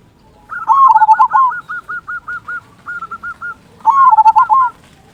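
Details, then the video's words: Zebra dove of local stock, singing often with a deep 'kung' voice, kept as a lure to get other doves singing: a loud opening burst, then a steady series of short staccato coo notes, a pause, and another rich burst. "Perkutut Lokal Gacor Suara Kung Besar Pancingan Burung Perkutut Agar Bunyi"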